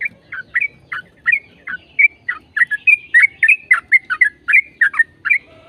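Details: Yellow-vented bulbul singing in a long, continuous run, used as a lure to get other bulbuls to sing: rapid slurred whistled notes, rising and falling, about three or four per second, with little background noise.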